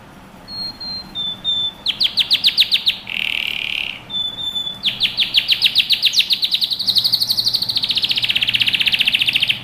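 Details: Training song of a canary: a few thin whistles, bursts of rapid clicking trills, a buzzy rasp, then longer fast trills rising in intensity, over a steady background hiss.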